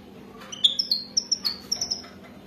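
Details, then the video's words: Wild goldfinch, European species, sung for mating in 'wadani' style: soft, thin, high notes in a quick series of about ten short tinkling chips, clustered in two bursts over a quiet background. "اجمل و اروع تغريد حسون وداني رائع جدا"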